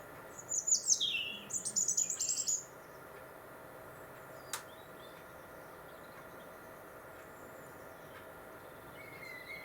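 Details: In winter along the Monarch's Way in Warwickshire, a European robin delivers one short burst of shrill, tinkling, rapidly varied notes lasting about two seconds, followed by a long near-silent pause with a single faint click.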